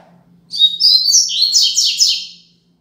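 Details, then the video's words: Braddock song of a Double-collared seedeater, known as 'Tui Tui Zel Zel Top', serving as a tutor song for young birds: shrill twittering notes opening the phrase, then three quick, buzzy, descending strokes to close, with a quiet room behind. "Tui Tui Zel Zel Top - Coleiro Braddock"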